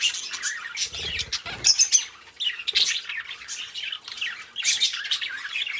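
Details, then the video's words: Two pet budgies chattering: busy warbled chirps and harsh squawky notes, rising and falling quickly, with a couple of low knocks early on. "Cute Budgies Chirping: 2 Hours of Relaxing Parakeet Sounds"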